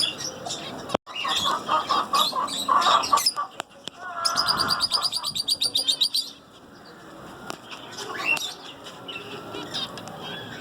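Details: Singing zebra finches: mid-pitched chatter gives way to a fast, regular train of bright, stacked buzzy syllables lasting about two seconds, followed by quieter scattered chirps and a single rising note.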